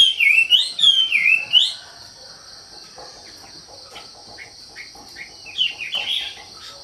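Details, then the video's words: Wambi singing a fast, loud warbled phrase of looping whistles for about two seconds. Scattered softer chirps follow, then a brief closing trill. A steady high insect-like hum runs throughout. "SUARA KICAU WAMBI GACOR"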